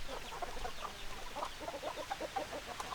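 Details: Chickens cluck steadily, soft short notes from several birds repeating in quick irregular bursts over a low background rumble.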